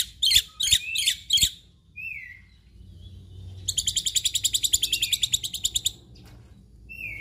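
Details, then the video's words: Singing Black-winged myna, a mimic of canaries and other birds, in lively full song: four loud harsh chips, short whistled slurs, then a long rapid rattling trill of evenly spaced notes lasting two seconds. "Jalak Putih Gacor Full Isian"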